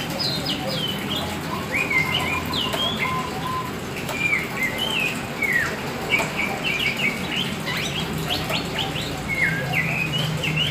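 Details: Oriental magpie-robin of the black form in lively sustained song: rapid varied whistles, slurred notes and chattering phrases, with rustling and fluttering sounds in the background.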